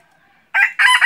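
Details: Loud, brief crow from a red junglefowl decoy bird used in hunting, two harsh bursts in quick succession, very close to the microphone.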